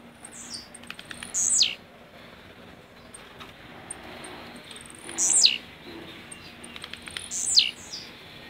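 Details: Caged blue-black grassquit from Jacarepaguá, Rio de Janeiro, singing the 'lança rojão' song style: three short, sharp high notes sweeping steeply downward, spaced a few seconds apart, over a faint steady background hum.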